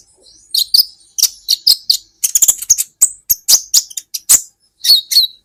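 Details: Olive-backed sunbird, locally kolibri ninja, from a masteran recording for teaching cage birds: a series of very high sharp chirps, some doubled, with brief twittering runs and a final drawn-out squeaky note.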